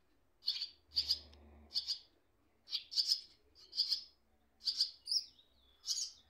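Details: Baby swallows in a nest, one parent briefly approaching while the other perches on wires: high, thin chirping bursts in quick doubled notes, repeated roughly every second, over a faint low hum.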